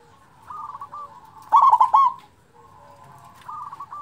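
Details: Zebra dove, local type with a big voice, offered to stimulate silent doves: a single loud burst of quick, rippling coo notes between fainter, steady trilled cooing.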